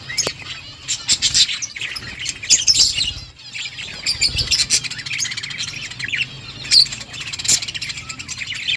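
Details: Budgerigar flock in a colony chirping nonstop, overlapping squeaky warbles and twittering with short pauses and a few louder sharp notes.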